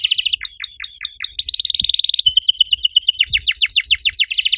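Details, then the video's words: Nonstop active canary song of the 'riwik' type with long 'cuit cuit' bursts: rapid falling notes, a buzzing trill and an extended fast series of high downward slurs, with no pauses. "DIJAMIN KENARI LAIN LANGSUNG IKUT BUNYI. KENARI RIWIK AKTIF, CUIT CUIT NEMBAK PANJANG!!"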